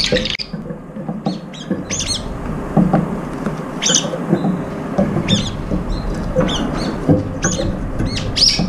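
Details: Several brown-eared bulbuls squabbling over food at a feeder: sharp, squeaky, high-pitched squawks and chirps in rapid irregular bursts, over a constant low rumbling background noise.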